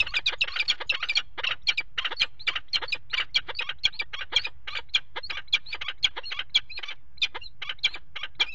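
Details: Harsh, rapid chattering from a peregrine falcon pair mating on the nest ledge of a water tower box, February 2018, notes tumbling out several per second with barely a pause, low rumble beneath.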